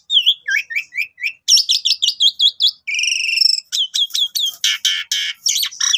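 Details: Asian pied starling singing a lively morning phrase to trigger rival birds: rapid rising chirps, a burst of high looping whistles, a grating buzzy stretch, then sharp clicks and harsh rasps.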